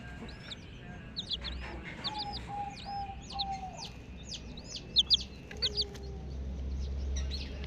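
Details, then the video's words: Chicken chicks chirping busily: rapid high peeps in irregular clusters, some louder double notes near the end, along with a few mid-pitched steady tones and a low droning hum. "Hen Baby Chicks, Witty MURGI Baby "Chicks Chirping" Sound"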